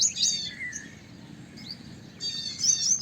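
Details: White-browed wagtail, also called large pied wagtail, with bursts of rapid high buzzy chirps at the start and end, separated by a quieter gap holding a few soft sliding notes.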